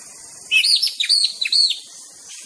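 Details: Rival-provoking master song of a white-rumped shama, heard as quick arched whistles and sweeping high notes in a short lively phrase, each note bending up and down, with a brief pause before a final note.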